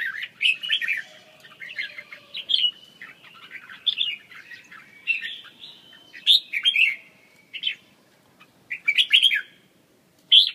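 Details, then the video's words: Red-whiskered bulbul singing: short bright whistled phrases, rich and warbling, repeated in bursts with brief pauses between them over about ten seconds. "chim Chào mào"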